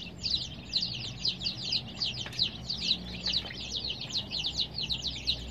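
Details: Chorus of colour-dyed baby chicks, kept with added heat, peeping constantly: shrill downward-sliding chirps from many birds at once, in uneven rapid bursts over a faint low background rumble.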